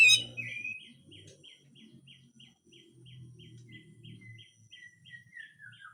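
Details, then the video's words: Grey-cheeked bulbul singing, from training audio of harsh full song with besetan. After a loud opening note, a long even series of short clipped whistles repeats about four times a second over a low background hum. "MASTERAN CUCAK JENGGOT FULL KASAR DAN BESETAN"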